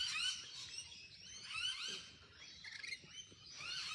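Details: Rainbow lorikeets, fluffy and in a group, giving high, thin, rapid squeaky chatter with short scratchy notes, unbroken through the brief stretch.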